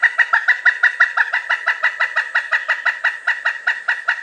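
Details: Pileated woodpecker giving its loud series of sharp kuk notes, about three per second, evenly repeated for four seconds; a call said to keep in touch with a mate or warn others from its territory.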